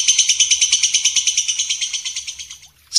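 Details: White-rumped shama, champion and young spotted birds recorded for training: a rhythmic series of bright whistled pulses, about three per second, that fades and stops, then a new note starts.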